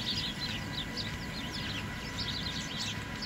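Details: Birds sheltering in a tree in the snow at a downtown Allentown transit center; many overlapping high, quick chirps and twitters continue throughout over a steady rumble of city traffic.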